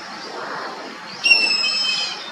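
An Indian grey hornbill gives a single high, flat, squealing note lasting about a second, over a soft background hiss.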